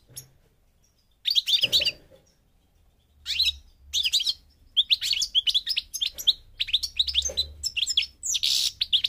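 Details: Goldfinch, parva type from Morocco in North Africa, opening after a quiet start with scattered twittering phrases, then building into a rapid jangling stream of chirps and buzzy trills, low rumble in the background.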